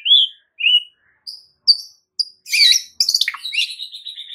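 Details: White-rumped shama song used as a training recording for caged birds: several separate clear whistles rising and falling, then a dense burst of rapid, complex twittering notes.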